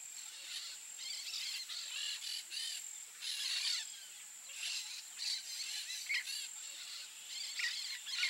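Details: Peach-fronted parakeet (Eupsittula aurea) producing a long run of grating, scratchy squawks in uneven bursts, some quick and clipped, others drawn out, with a constant shrill insect drone throughout.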